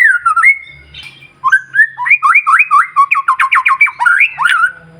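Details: Loud white-rumped shama song meant to stir other shamas: a whistled opening, then a rapid rhythmic chain of looping notes repeated many times, ending in a higher flourish.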